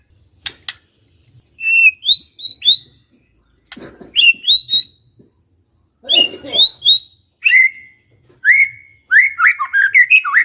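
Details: White-rumped shama from a village, singing loud clear whistles in groups of three or four rising and falling notes, the final phrase becoming a quick tumbling warble.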